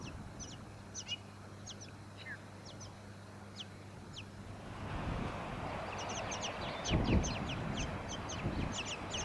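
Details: Tawny-crowned honeyeater in Victoria, Australia, September 2017. Sparse high, thin downslurred notes at first, then a dense burst of quick descending notes alongside a broad rushing noise and low hum.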